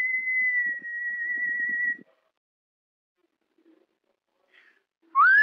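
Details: Pet cockatiel imitating the whistle of Wind of Change by Scorpions, finishing a steady, faintly quavering tone, then near silence before a new rising whistled note begins at the end.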